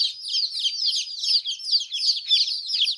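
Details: Group of colourful chicks chirping nonstop, shrill high peeps tumbling over each other in a busy, unbroken chorus.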